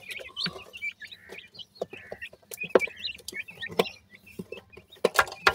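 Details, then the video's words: Peeping Indian francolin chicks: clear short high notes, some sliding up or down, repeated in small clusters among loud clicks, taps and rustles. "teetar ki awaaz,indian teetar chicks"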